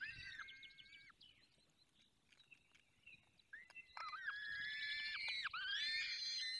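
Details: Falcon nest in the Barycz Valley during feeding: faint squealing calls and soft chatter at first, then a louder run of long, harsh, overtone-rich wails that dip and rise.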